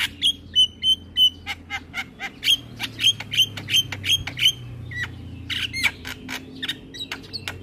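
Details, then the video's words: Javan myna kept as a training bird: a fast series of clear, sharp whistled notes mixed with clicks, about three a second, then scattered harsher squawks. "Semua Jalak Dibuat Emosi Dengar Ocehan Jalak Kebo Gacor"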